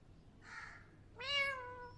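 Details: Pet parrot imitating a cat's meow: a soft breathy note followed by a louder, harmonic, drawn-out meow that slowly falls, in a quiet room with a low hum.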